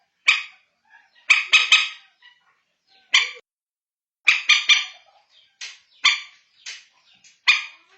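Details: Common moorhen lure call, played to find the birds at night. Loud, harsh, abrupt bursts, some single and some in quick runs of two to four, with faint softer notes between.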